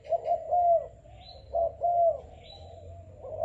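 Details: Selected young Malaysian-type spotted dove, kept about five days, delivers loud low coos, a short note then a long rounded one, repeated about every second and a half, with faint high chirps behind.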